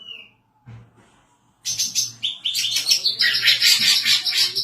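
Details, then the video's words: Female greater green leafbird in lively song, used as a tutor and lure bird; a lone thin whistle, then a pause, then a rapid, high, chattering warble with sharp accented notes, over a low hum. "BURUNG CUCAK IJO BETINA GACOR COCOK UNTUK MASTERAN DAN PIKATAN"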